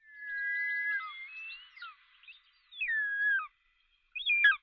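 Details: Eagle giving long, thin whistled calls that slide downward at the end. A shorter whistle follows after a pause, then a brief high twisting note.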